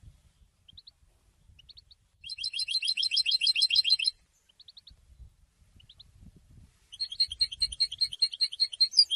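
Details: European goldfinch after its moult, apparently caged, singing two bursts of rapid, liquid twittering trills with faint tinkling notes in between and soft low thumps.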